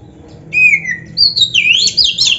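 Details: Oriental magpie-robin in lively song used to coax other kacer into answering: a drawn-out falling whistle followed by a sweeping, rising phrase of loud, squeaky, jumbled notes.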